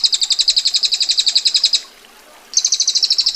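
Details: Female bar-winged prinia 'ngetir' song: a fast, buzzy high rattle of distinct pulses stops for under a second, then resumes with the same sharp, rapidly repeated notes.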